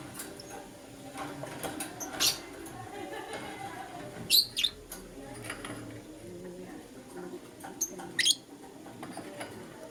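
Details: Lutino lovebird chirping in the morning: sharp, high, scratchy chirps come singly or in quick pairs every two to four seconds over a steady low hum.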